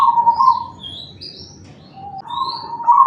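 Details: Big-voiced cemani zebra dove, kept as a lure so Bangkok and local zebra doves reply. A rolling, trilled coo opens, a quiet gap follows, then another rippling coo phrase. Faint high twitters from other birds are in the background.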